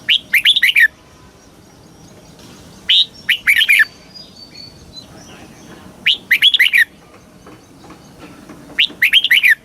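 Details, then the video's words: Caged red-whiskered bulbul from Thailand singing a southern master-style song used to stir up caged birds and teach young birds: short bright warbled phrases of four to five quick notes, repeated about every three seconds over faint background hiss. "เสียงนกกรงหัวจุก สำหรับต่อ หรือ เปิดให้นกคึก เสียงเพราะๆ"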